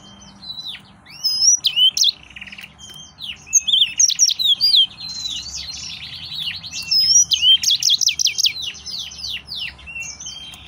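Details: A male yellow-fronted canary in an excited state sings long, almost continuous high-pitched warbling, mixing sharp rising whistles, rapid slurred notes and buzzy rattles, barely pausing across the whole stretch; faint hum underneath.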